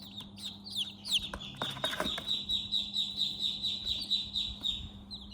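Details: Chicks in their house keep up a stream of high, downward-slurred peeps, about two per second, with a short burst of rustling and scratching early on and a steady low hum.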